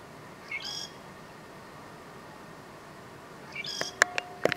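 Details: Southern grey shrike recorded in north Lanzarote, October 2018, giving two brief phrases of a thin high note followed by a scratchy, buzzy burst, the second phrase mixed with sharp clicks and knocks.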